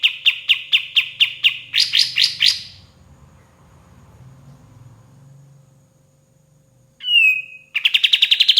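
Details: White-shouldered triller, a vigorously singing bird used as a master recording for training songbirds: a run of about nine evenly spaced, sharp high notes, a quicker burst of four, a quiet pause with faint low hum, then a slurred whistle and another rapid repeated series.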